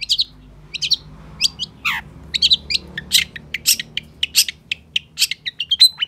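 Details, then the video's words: Long-tailed shrike pouring out a busy song of sharp ticks, scratchy chips and one long falling whistle, notes crowded closely together with a faint background hum. "Pancingan Cendet Gacor Cocok Buat Masteran Cendet Macet Agar BUNYI"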